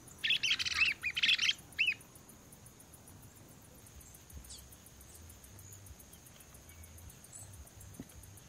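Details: Lesser wagtail-tyrant at Sítio Pau Preto in Potengi, giving a short burst of harsh, chattering notes over about two seconds, then a single trailing note, followed by quiet rural background with faint distant chirps.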